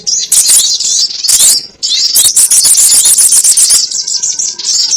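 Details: Sogon ontong bird lure sound for trapping: rapid, high-pitched twittering and squeaky chatter in dense bursts, with a brief quiet gap near the middle and some faint lower whistles toward the end.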